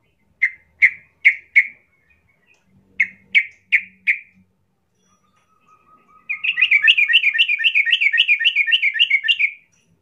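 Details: Yellow-vented bulbul song used as a lure to make another bulbul rage: three or four sharp, evenly spaced chirps twice, a faint low whistle, then a rapid rattling trill of bright notes lasting about three seconds.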